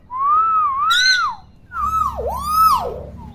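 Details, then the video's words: Vocal common hill myna, kept to teach young birds to call: a long smooth rising-and-falling whistle, a pause, then a sharp plunging loop and a climbing note with bright buzzy overtones, in a small room. "KING BURUNG BEO GACOR & CEREWET"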